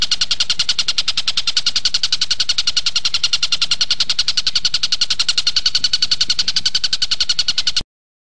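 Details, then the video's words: Tutor recording of a kingfisher, known locally as tengkek buto, played to teach caged magpie-robins: rapid, evenly spaced bright notes repeated about three to four times a second for nearly eight seconds, then stopping abruptly. "Tengkek buto gacor buat masteran murai"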